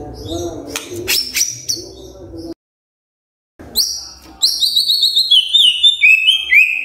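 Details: Magpie-robin singing in the morning to prompt quiet birds to answer: rough chattering notes, a sudden brief silence, then bright high whistles descending in repeated steps.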